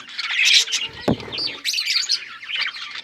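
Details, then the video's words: Budgies chatter in busy, overlapping high chirps and scratchy warbles, interrupted by one sharp low knock about a second in. "Budgies chirping sounds"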